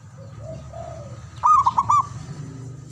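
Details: Local male zebra dove: one short, rolling phrase of four clipped ringing coos over low-pitched background hum, with a few soft faint notes before it.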